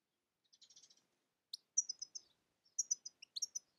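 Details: European goldfinch uttering scattered high, tinkling chirps and short slurred notes in irregular clusters, with a brief soft twitter at the start.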